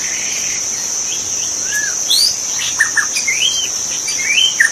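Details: Forest magpie-robin giving sparse, sweet whistled notes, several arched or upslurred, spaced apart, with a continuous high-pitched insect chorus behind.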